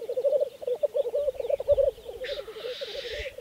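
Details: On Saaremaa, Estonia, in spring 2014, black grouse bubble in a quick, pulsing coo at their lek, then one bird gives a loud, drawn-out hissing whoosh near the end.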